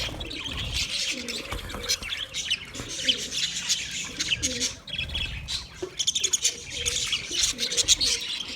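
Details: Many budgerigars chirp at once, busy squeaky twittering with bursts of sharper chirps, while softer low warbling notes run along beneath the chatter.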